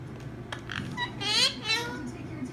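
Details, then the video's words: One of a pair of pet parakeets chatters in high, squeaky, speech-like phrases with quick rising and falling sweeps, indoors over a faint hum. "THE MOST LOVING TALKING BIRDS I'VE EVER SEEN I Giggles and Laughter"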